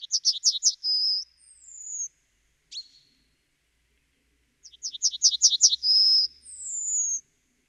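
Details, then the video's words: Yellowhammer repeating its song twice: rapid high buzzy note series, a sustained closing tone and a thin descending whistle, separated by a single sharp call. "The song of the Yellowhammer"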